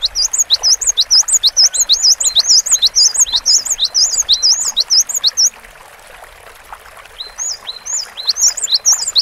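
Cinereous tit pouring out quick, high, sweet chirped notes, several each second, falling quiet briefly before starting up again.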